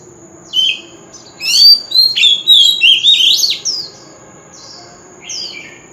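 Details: Oriental magpie-robin giving a forest-style lure song for contests: a dense, loud run of rapid twisting whistles and slurs lasting about two seconds, then softer single notes trailing off.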